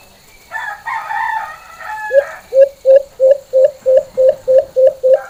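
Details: White-eared brown dove (Alimokon) giving its normal full call: a harmonic crowing-like call from another bird comes first, then ten low, evenly spaced hoots follow at about three per second.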